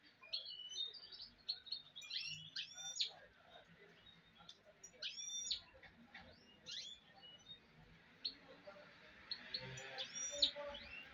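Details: Goldfinch mule giving clipped, high chirping notes in small clusters, spread across a long stretch with gaps, amid a soft noisy background.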